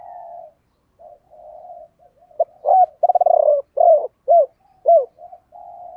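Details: Male and female spotted doves, 'thổ bầu' coo, used to prompt trained doves to call. Soft steady cooing opens, then one strong phrase of a fast rattle and four mellow, downslurred hoots, ending in soft coos.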